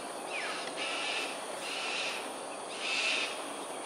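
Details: Cockatoos flying an aerial display at Sungei Ulu Pandan, Singapore, 13 January 2022, 7.43am: a short falling whistle, then three rough, grating screeches spaced about a second apart, over background hiss.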